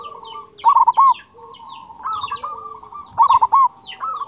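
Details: Local zebra dove, a persistent singer with a big 'kung' voice, kept as a master song to train and stir other doves: two loud phrases of rapid cooing notes ending in a rolled coo, over softer background cooing and faint high chirps.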